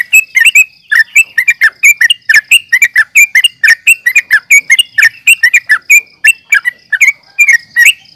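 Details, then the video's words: Sooty-headed bulbul (trucukan) in fighting mode, recorded to provoke other birds to answer: rapid run of short bubbly chirps and slurred notes, overlapping callers, about 44 phrases a minute, faint steady high tone throughout. "trucukan gacor NGGARUDA UPLIK TARUNG"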